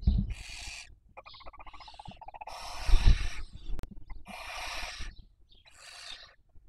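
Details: Barn owl at a nest in Cabañeros National Park, Spain, 2023 breeding season, rearing young; drawn-out rough hisses alternate with a quick bubbling, stuttering series of softer notes, plus a sharp click.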